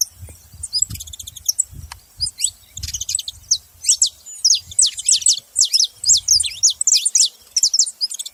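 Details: High, thin chirps and quick slurred notes from saffron finches come in uneven bursts, growing denser and louder in the second half over intermittent low thuds.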